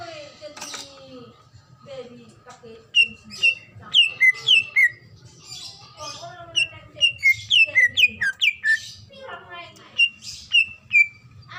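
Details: Female greater green leafbird in breeding condition calling the male, used to lure other leafbirds into calling: bright whistled notes sliding down and up, repeated rapidly in bursts, with lower warbled phrases and a low steady hum beneath.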